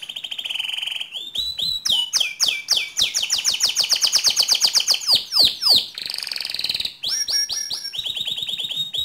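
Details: A canary sings to spur other canaries into rolling song: it opens with a steady whistled tone, then fast repeated chirps, a long rapid high trill, and downward-sweeping notes, before ending on a fresh series of trills.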